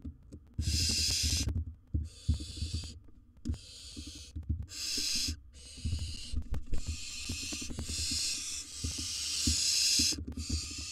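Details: Harsh, drawn-out screeching hisses from a wild barn owl in a nest box as it deals with a large prey item, bursts nearly continuous over eleven seconds, accompanied by frequent knocks and shuffling sounds.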